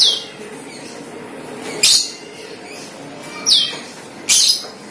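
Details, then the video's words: Cucak keling calls played as a lure for wild birds of the same kind: clear downward-slurred whistles, three notes spaced one to two seconds apart, with steady low hum behind. "PANCINGAN CUCAK KELING"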